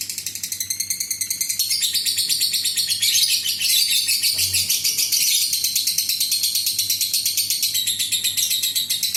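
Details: A fighter lovebird gives an extended ngekek meant to provoke other lovebirds to sing. The high, rasping, machine-gun chatter keeps going without pause, swelling in the middle and easing slightly toward the close.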